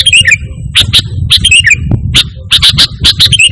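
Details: Sooty-headed bulbul, Indonesia, in lively song free of imitated phrases, used as a lure and master recording for pet birds; paired sharp chirps and brief whistled flourishes alternate with short gaps over low hum.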